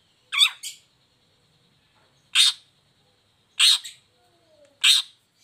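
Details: Long-tailed shrike lure sound for lazy or moulting shrikes: a double raspy note, then three more single harsh bursts at intervals of about one to one and a half seconds.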